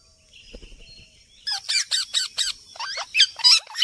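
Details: Natural parrot sounds: after a quiet start with faint low rustles and a high whine, a rapid series of short, harsh, screechy squawks about five per second, some sharp and rising, continuing to the end.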